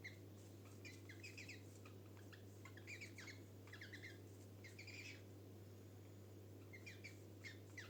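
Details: Pet cockatiels, just given a nest box for breeding, chirp in quick bursts of short, bright notes against a steady low hum.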